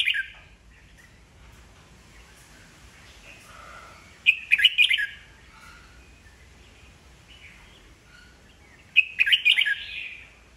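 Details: Red-whiskered bulbul, an old wild-caught bird, singing to provoke rivals into competitive song: two bright bursts of warbled, chattering phrases around the middle and near the end, with a few softer whistled notes between over quiet background.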